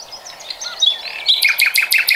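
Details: Common nightingale singing in 2020, a quick whistled run giving way to five or six loud, evenly spaced, ringing notes, against soft chirps from other birds.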